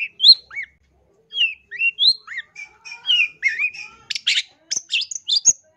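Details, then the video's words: Long-tailed shrike singing loudly, recorded as a tutor song for training birds: varied clear whistled slurs, rising and falling, some sweeping downward, then harsher buzzy bursts near the end, with short pauses between phrases. "MASTERAN CENDET GACOR SUARA LANTANG"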